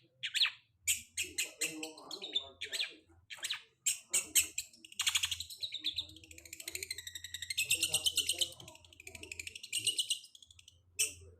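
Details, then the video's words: Long-tailed shrike song of short harsh bursts that build into a long, continuous scratchy trill with twittering mimic-like notes, then end in sharp isolated calls; a low hum runs underneath. "Pancingan cendet habis mabung pasti bunyi"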